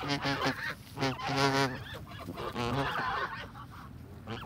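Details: A fed flock of Canada geese honks in loud, nasal bursts, each lasting under a second, several birds overlapping, then the calling thins to softer honks toward the end.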